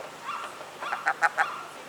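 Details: Seagulls in Monterey Bay, California, calling near a person who says they cackle like roosters; a short run of three loud, harsh, honking notes in quick succession follows softer calls, with a man's voice nearby.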